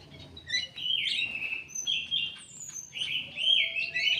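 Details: An Indonesian kidangan kaso kaso held in an aviary for breeding sings loud, clear whistled phrases, each roughly a second long, wavering and sliding in pitch, with brief chirps between and a thin very high tone above.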